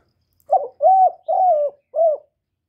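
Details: Spotted dove's luring call used to stir caged doves and draw in wild ones, recorded clean: a stuttered first coo, then two drawn-out level notes and a brief closing coo in a single four-part phrase.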